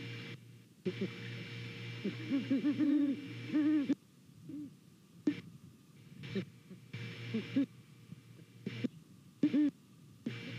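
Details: A pair of great horned owls checking out a nest in Savannah on the morning of 28 November 2019 hoot to each other in deep, soft, muffled runs, one answering the other, over a steady low electrical hum.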